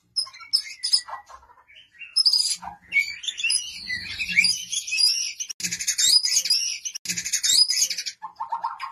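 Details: White-rumped shama pouring out a loud, dense song of rapid high chattering, buzzy trills and whistled notes over about nine seconds, with a few lower whistled phrases near the end.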